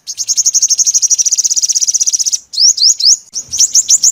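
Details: Calls of a purple-throated, yellow-bellied sunbird, used as a lure for trapping: a long, rapid, even trill of high ticking notes for over two seconds, then quick rising sweeps and short bright chips.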